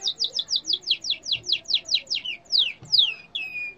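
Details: Yellow canary delivering a rapid tour of steeply falling whistled sweeps, about four per second, ending in two longer, slower descending slurs and a drawn-out high note.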